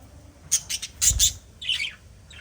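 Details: Budgerigar chirps from a small pet flock: a quick series of high, clipped notes followed by a brief, rougher, warbling squawk.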